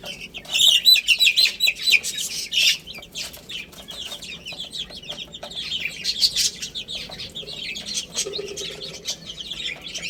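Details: Feeding, playing chicks giving loud, busy high-pitched chirps early on, then a steadier chorus of overlapping peeps over tapping and scratching sounds.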